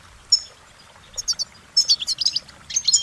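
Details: Goldfinch singing: scattered bursts of high, thin twittering and short warbled notes, sparse at first and then denser toward the end, over a quiet background.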